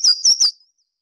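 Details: Louisiana Waterthrush song, described as a bubbly call that falls off like a waterfall: three loud, high, slurred whistled notes in quick succession, then a faint trailing fall-off. A tail-pumping bird of water's edges and mud flats. No other sounds.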